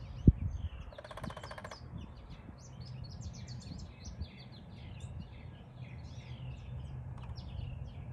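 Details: A female Downy Woodpecker testing for the loudest place to drum gives a single sharp knock, then a quick drum roll under a second long, amid steady chirping from other small birds and low outdoor rumble.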